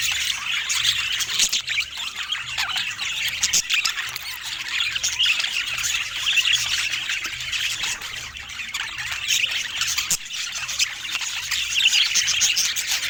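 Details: Budgerigars showing uncommon colour mutations keep up busy group chatter: constant high-pitched squawks, chirps and rapid warbling from many birds at once, steady in loudness throughout, with no music or voices.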